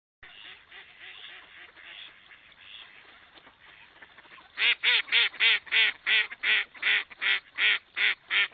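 A duck gives loud, nasal quacks in a steady series, about three per second, after several seconds of quieter, softer quacking and chatter.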